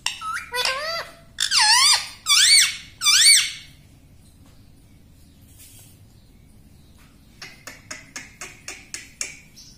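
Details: Pet rose-ringed parakeet talking, saying mummy and papa: four loud, squawky, wavering voiced phrases in the first few seconds, then quiet, then a run of soft rapid clicks.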